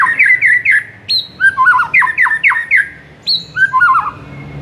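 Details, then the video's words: Master song of a white-rumped shama to excite a mute bird: quick repeated whistled notes, a high sustained whistle, and twisting warbled phrases, repeated in loud bursts. "MURAI BISU SONTAK NAIK EMOSINYA DENGAR MASTERAN INI"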